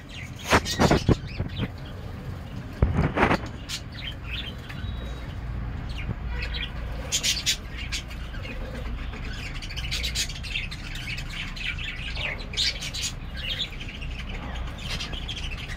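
A budgerigar gives quick, scratchy chirps and warbles over a low indoor rumble.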